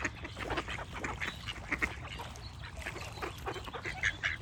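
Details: Ducks quacking in a noisy cluster, buzzy calls coming in bunches, with a few high squeaky notes near the end over a faint low hum.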